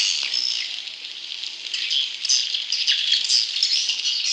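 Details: High, rattling chatter of swiftlet chicks, played to attract wild swiftlets; the dense, scratchy twittering runs without pause, with scattered thin whistled notes on top.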